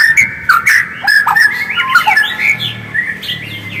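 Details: White-rumped shama song used as a lure to get another shama singing: loud, varied clear whistles and slurred rising and falling phrases, delivered in quick succession with brief chattery notes between.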